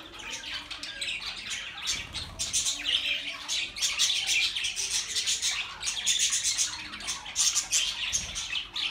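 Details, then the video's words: Pet budgerigars chattering, meant as company for lonely birds: continuous scratchy warbling and squawks in dense overlapping bursts, a flock calling together without break. "Budgie Sounds for lonely Birds"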